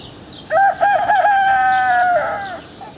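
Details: Rooster crowing: a loud, drawn-out cock-a-doodle-doo lasting about two seconds, with a few short wavering notes at the start, then one long level note that drops at the end. Faint background noise.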